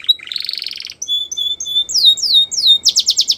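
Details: Canary song for training young canaries: a buzzy rolling trill, then short steady whistled notes, followed by loud descending sweeps and a quick run of repeated notes at the end.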